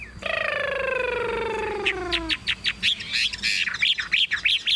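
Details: Chinese hwamei, a tame caged bird in a hand-carried, shaken cage, opens with a long, drawn-out, slowly falling rich whistle lasting two seconds, followed by a quick series of short bright notes.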